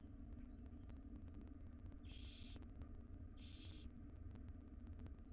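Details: Five wild barn owl chicks in a nest box beg while their mother brings breakfast; two loud rasping hiss-screeches follow each other about a second and a half apart over constant low rumble.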